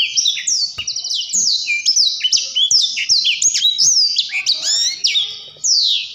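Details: Blackthroat singing vigorously in a continuous, rolling warble, the kind described as gacor and ngerol: rapid high whistled notes, sharp downslurred sweeps and trills packed with almost no pauses, loud and clear throughout with no other sounds.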